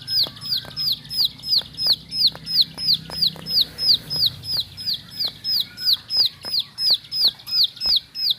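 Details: Steady series of piercing, curved whistle notes from a bar-winged prinia kept indoors, about three per second and very even, with scattered clicking ticks in the background.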